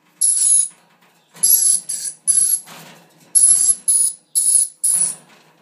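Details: Dusky lory giving harsh, hissing, very high-pitched screeches in about seven separate bursts, each roughly half a second long, with short silent gaps between them.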